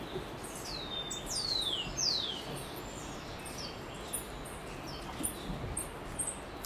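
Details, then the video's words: Blue-winged mountain tanager at Rio Blanco, 30 May 2018: three thin, high whistles slurring steeply downward, then faint, very high ticking notes, over steady rushing background hiss. "Blue wingedMountain Tanager"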